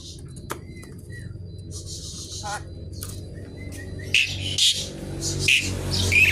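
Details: Javan pied starling in lively, varied song, noisy as if seeking a rival: soft flat whistles and a short warbled note at first, then loud harsh rasping bursts with squeaky accents over low hum.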